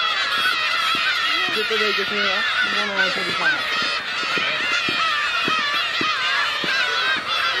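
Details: A dense chorus of black-tailed gulls on Kabushima on New Year's Day 2015, the largest winter count seen there: overlapping nasal, mewing cries, many at once, with a person's voice briefly heard.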